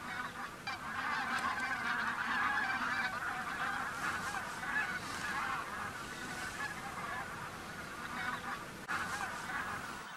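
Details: Dense, continuous din from a large goose flock at a migration stopover in Khakassia, flying from the fields to the lake; countless overlapping honks merge into one steady roar.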